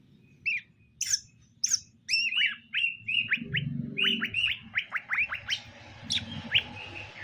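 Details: A male and female greater green leafbird, paired so they accept each other, both in strong voice. Scattered high chirps give way to a long, fast series of whistled notes, many sharply upswept, repeated almost every fifth of a second, with faint low rumbling.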